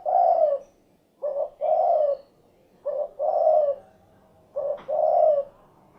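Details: Spotted dove (derkuku) calling in the 'cukurukuk kuk geruk' pattern: low, hollow coos in three phrases, each a short note followed by a longer, rolling coo, repeated roughly every one and a half seconds.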